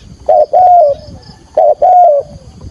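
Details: Spotted dove decoy calling to attract wild doves to a trap: two low, hollow coo phrases, each a short note followed by a longer coo that slides gently downward and trails off.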